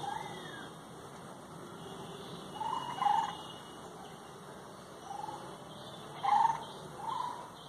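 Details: Birds singing in rural Bengal: short, mid-pitched whistled notes come singly or in pairs every one to three seconds, some slightly rising, over a steady background hum.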